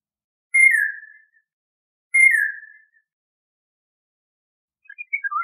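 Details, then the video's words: Eurasian golden oriole giving two clear whistled notes about one and a half seconds apart, each sliding gently downward and fading, then a short burst of fluty warbling at the end; otherwise quiet. "Golden Oriole Song, Call, Chirp, Sound, Vocalization - Oropéndola Europea Canto - Oriolus Oriolus"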